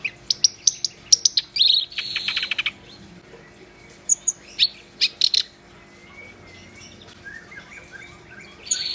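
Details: Energetic, gacor singing of a black-browed reed warbler: a quick run of high chips and harsh scratchy notes, a faint thin whistle, scattered sharp notes, and a final buzzy burst.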